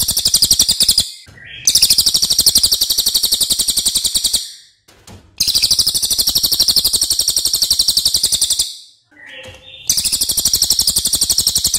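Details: Long, loud training song of a racket-tailed treepie, a crow relative: repeated bursts of fast, scratchy, high notes, about four a second, each run lasting about three seconds, with short pauses and faint soft notes between.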